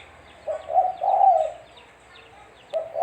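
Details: Spotted dove (tekukur) call used as a lure for trapping birds: a soft, low coo of two short notes running into a longer rolling note, then a fresh coo starting, over quiet background.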